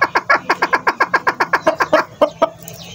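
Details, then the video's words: Male chukar partridge in the konk calling style used for hunting and breeding, giving rapid, evenly spaced throaty chuck notes, roughly five per second, slowing and breaking up near the end. "Desi chakoor male voice# konk msti krta hwa"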